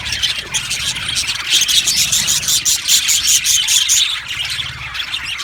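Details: Chorus of an Australian budgie colony in an aviary, with many birds chattering together and a run of short, sharp, high chirps repeated about twice a second over a steady squeaky warble.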